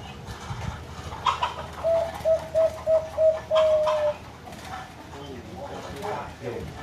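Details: Zebra dove with a big, deep voice giving a run of five short, clear cooing notes at an even pace, ending in one longer drawn-out trill; faint background noise and soft murmurs before and after.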